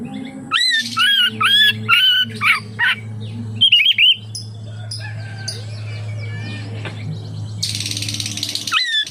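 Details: Oriental magpie-robin song meant to prompt other magpie-robins to sing: bursts of sharp whistled and chattering notes early, then a quieter stretch and a hissy buzzy passage, with a constant low hum beneath.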